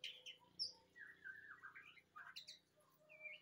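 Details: White-rumped shama song: a high piercing note, then long sliding whistles that wander up and down, a quick burst of bright high notes and a closing rising whistle, with faint low background hum.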